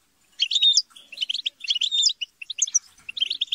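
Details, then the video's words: European goldfinches chattering and squabbling together to encourage singing; bursts of rapid high twitters with short whistled slurs, separated by brief pauses, voices overlapping. "بتبتة وتستسة وشجار الحسون - اقوى بتبتة جماعية لتحفيز الحسون على التغريد - بتبتة وشجار لتحفيز حسونك"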